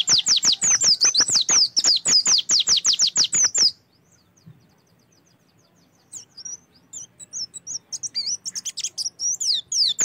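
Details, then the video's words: Oriental white-eye song meant to trigger singing in other birds: a dense volley of rapid, high down-swept notes, about two seconds of quiet, then scattered twittering building into a renewed quick series. "PANCINGAN AMPUH SUPAYA PLECI LANGSUNG BUKA PARUH"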